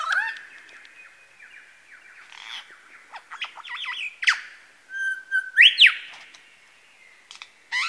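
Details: Male lyrebird at Masons Falls, Kinglake National Park, copying various birds: a series of varied chirps and clicks building to a loud rising whistled sweep, followed by a brief sharp note near the end.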